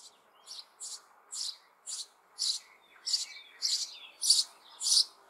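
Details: Sparrow chicks in the hollow of an old apple tree in spring, May, demanding food from their parents: high, hissing chirps repeated about every half second, growing louder toward the end, with faint low background hum.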